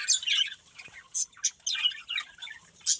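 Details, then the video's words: Budgerigars, a breeding pair, uttering separate sharp chirps and short squawky notes in bursts, with gaps between them; one soft thump is heard. "Cute Budgies Chirping Sounds"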